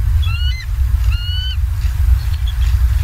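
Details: On a Southwest Florida live cam, 28 October 2022 at 19:15, bald eagles utter two brief clusters of high, slightly rising whistled squeals, then near quiet, over a strong low rumble.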